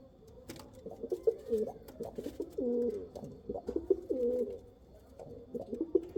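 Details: Pigeon cooing in a low, warbling voice, with short rolling coo phrases repeated again and again across six seconds and only brief gaps between them.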